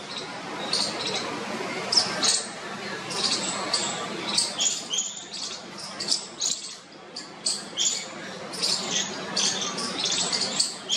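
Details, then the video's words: Bulbul chicks in a nest in a parking shed beg for their parents' attention to be fed, giving a rapid stream of high, thin, overlapping squeaky cheeps in short bursts, with a faint background murmur throughout. "Baby Bulbul chicks clamour for mother's attention"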